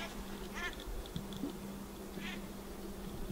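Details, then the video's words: Pacific black duck giving two short, harsh quacks about a second and a half apart, with ducklings present (faint high peeps), over a steady low hum. "Pacific Black Duck call"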